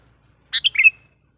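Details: Sooty-headed bulbul lure call for wild kutilang: a single brief phrase of three to four liquid notes that steps downward and ends in a short trailing tone.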